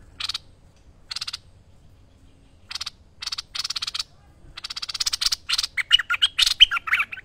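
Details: Bulbul on a master recording made for training birds: harsh, scratchy bursts spaced a second or more apart, then quickening into a continuous stream of chattering, whistled notes toward the end.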